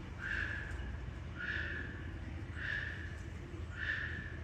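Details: Lesser sulphur-crested cockatoo at Fukuyama City Zoo gives harsh, drawn-out squawks, repeated about every second.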